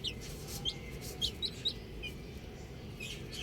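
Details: Baby chicks outdoors give a handful of sharp, high, downward-sliding peeps spaced a fraction of a second apart, with soft rustling and low background noise.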